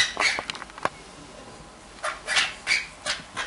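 Green-cheeked parakeet giving harsh, raspy screeches in short bursts, a quick cluster, a second of quiet, then several more.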